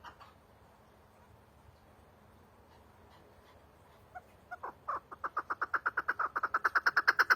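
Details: Chukar partridge: several seconds of quiet background, then scattered clucks that build into a quick, loudening chatter of repeated harsh notes.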